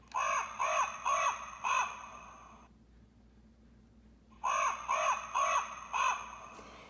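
Common raven giving harsh, hoarse croaks in two runs of four, about two per second, with a short silent pause between runs.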